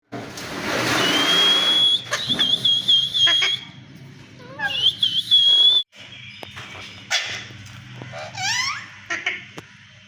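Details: Alexandrine parakeets fighting: a harsh, broad screech, then a thin high whistled note, a fast descending run of chirps, and later a rising series of sharp squawks, separated by short pauses.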